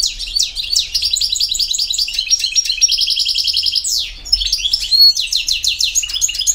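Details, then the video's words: Goldfinch singing the campero style: bursts of chattering twitters leading into a fast, regular trill, a sweeping slide, then further bright, repeated ringing phrases. "El Jilguero BiH 15"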